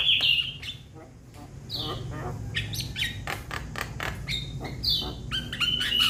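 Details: Young Javan myna calling to its companions: harsh, squawking notes around the mid-high range in quick bursts, mixed with scratchy broadband rasps, over a steady low hum.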